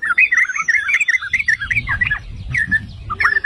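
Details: Yellow-vented bulbul (trucukan) song used to provoke other bulbuls into singing: rapid bubbly chattering phrases of liquid warbled notes, steady for most of the clip, with a low rumbling background from about halfway.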